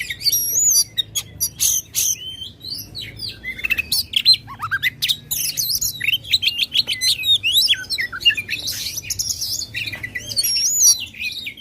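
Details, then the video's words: Long, loud Oriental magpie-robin song used to provoke contest birds: sharp clicks and rising whistles give way to a fast, varied stream of warbled and looping high notes. "kacer gacor ngobra suara lantang ampuh buat pancing emosi kacer kontes"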